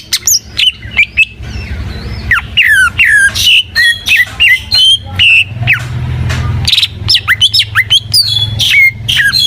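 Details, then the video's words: Full, lively song of a greater green leafbird (cucak ijo gacor): a fast jumble of whistled slurs, buzzy notes and rasping squawks, uneven in rhythm, over a low hum. "Suara Burung Cucak IJO FULL Gacor"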